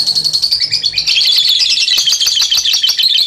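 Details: Lovebird ngekek, long chattering meant to train other lovebirds; a continuous dense stream of buzzy high trilled notes with no pause.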